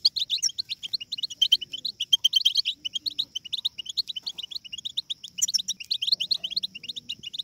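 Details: European goldfinch chicks in group babbling, used to stimulate goldfinches to sing: a dense, fast twitter of short high chirps overlapping without pause, over a thin steady high tone that runs throughout.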